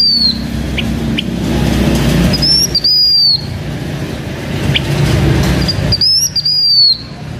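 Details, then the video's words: Decoy song of a blue-winged minla kept by a Hmong owner in Vietnam: high whistled phrases with an upward slur and long falling tail, three in a row, plus a few brief chirps and constant low background hum. "Khướu lùn cánh xanh hót mồi"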